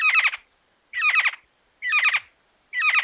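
Giant Antshrike giving harsh, rattling bursts of a few rapid notes, repeated about once a second, each burst grating and mid-pitched.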